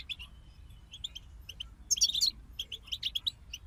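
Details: Goldfinch group singing: bright tinkling twitters and short buzzy trills, with a louder, denser burst near the middle, over a faint low hum.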